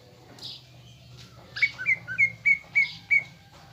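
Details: Greater green leafbird, caged, singing a lure song meant to stir a fighting mood: six loud whistled notes, each a quick downward slur, in an even series after a faint lead-in.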